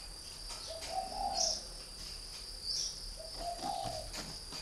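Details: Three-year-old caged decoy spotted dove of the northern Vietnam type utters two soft, low cooing phrases, a brief lead note sliding into a drawn-out rolling coo, with a constant shrill background whine.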